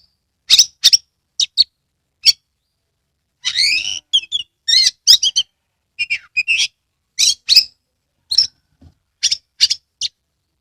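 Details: Oriental magpie-robin, Kebumen, Central Java, tail opened, singing to stir lazy magpie-robins into song: scattered sharp notes give way to a fast jumble of buzzy phrases, whistles and twitters, then spaced high calls.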